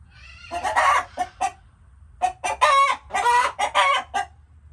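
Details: Harsh chicken cackles, an opening raspy squawk, a pause, then a run of loud wavering calls and short clucks.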